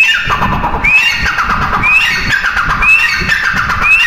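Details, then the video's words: Female grey francolin calling: a clear rising, whistled note repeated about once per second, each sliding upward, over a steady rumbling background noise like a passing vehicle. "mada teetar ki awaz"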